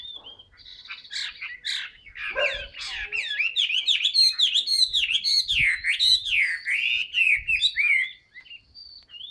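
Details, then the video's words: Caged Chinese hwamei, a sale bird described as long-singing, delivering a loud, fast, continuous song of varied whistled and slurred phrases with rapid rising and falling notes, sustained for about eight seconds after a few harsh opening notes. "hót xòe bền"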